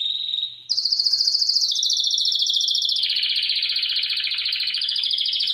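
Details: Canary song: a short steady tone gives way to a rapid, rattling trill that steps down in pitch partway through and continues as a dense, buzzy roll to the end, over a faint low hum.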